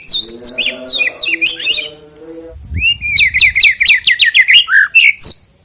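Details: White-rumped shama song, played to get a bird singing before a song contest: a jumble of high varied notes over lower buzzy tones, then a brief quiet and a fast string of repeated downward-slurred whistles.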